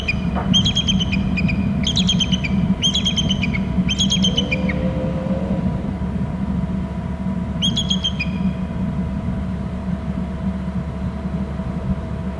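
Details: Male bald eagle flutters down within its Hornby Island nest territory and trills, giving four quick high chattering bursts, a pause, then one more, against a constant low roar.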